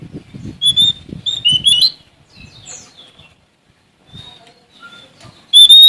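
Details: Oriental magpie-robin of Sumatra singing to seek an opponent: several clear high whistles early, then a quiet stretch with faint notes, and a strong whistle at the close, over low rumbling background noise.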